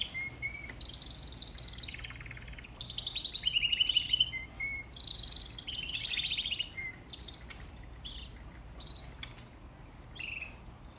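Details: Canary singing: a lively, varied high song of rapid buzzy trills, sweet whistled notes and rolling warbles in quick bursts, with short pauses between phrases over a faint low hum.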